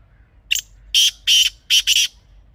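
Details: Kala teetar, or black francolin, recorded in natural surroundings in Pakistan: a thin short opening note, then four loud, grating, buzzy notes in two pairs, the final pair nearly joined, over soft low background noise.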